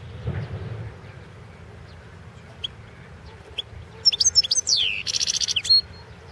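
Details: European goldfinch of the Balkan form singing for the 2016 World Championship in Goldfinch Song: scattered faint high notes lead into a burst of twitters, a falling slurred whistle and a fast buzzy trill near the end.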